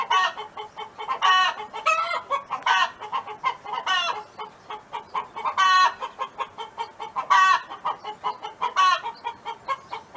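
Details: Neighbour's hen on a farm keeps up a dense chatter of clucks mixed with frequent loud, grating, wavering squawks, several in quick succession.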